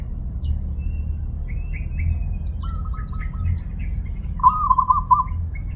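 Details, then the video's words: Zebra dove, or perkutut, with a crystal voice: faint higher chirps and twitters from other birds first, then one loud bubbling coo phrase near the end. A high whine and low hum continue throughout. "perkutut suara keristal"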